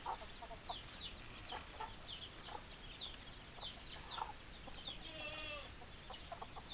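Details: Chicken flock with many high, falling peeps overlapping one another and short, low clucks throughout. Near the end comes a longer wavering call, over soft background noise.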